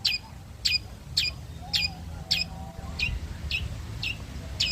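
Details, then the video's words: Long-tailed shrike (blangkon) basking in the midday sun gives sharp scratchy calls about twice a second, each a brief harsh burst, with faint low background hum. "burung cendet blangkon berjemur siang hari"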